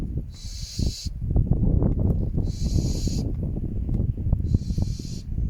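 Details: Barn owl at a croft house nest site on a windy November night giving three harsh, breathy hisses, each under a second, about two seconds apart, over heavy rumbling wind; owner believes the male was urging the female to a new nest site.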